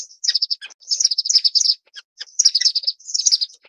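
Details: Estrilda melpoda, the orange-cheeked waxbill: loud, bright, high chirps in rapid rolling phrases of about half a second, each followed by a short gap.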